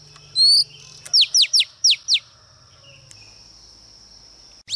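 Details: Oriental magpie-robin female singing as a lure to provoke males: one clear rising whistle, then five identical sharp downward-slurred notes in quick succession, then a pause and another note, with a faint steady high tone behind.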